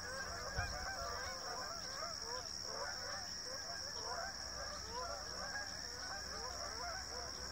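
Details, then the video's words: Flock of Canada geese passing over Rochester, New Hampshire while migrating in formation; dense, continuous honking from many birds, quieter and more distant, under a strong steady electrical-like whine. "Canadian Geese Migrate in Formation"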